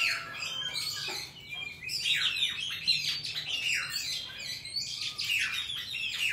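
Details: Oriental magpie-robin with a wild forest song for teaching young birds: dense, overlapping whistled and buzzy phrases sweeping down and up, steady in volume, with faint low background hum.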